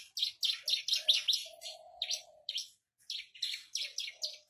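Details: Captive Javan bush lark on a stone delivering sharp, separate high chirps in quick series, a short pause, then another run of chirps, with a low steady tone audible briefly.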